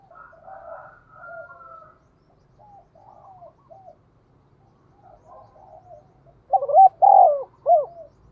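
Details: Spotted dove, 'thổ' voice style, its 'thúc' call used as a lure for wild birds: soft, quieter coo phrases in the opening seconds, then one loud clear three-note coo with a long middle note near the end.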